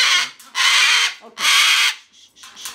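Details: Rescue umbrella cockatoo indoors at bedtime giving two long, loud, harsh screeches, each about half a second, with a softer squawk after and a person's voice between.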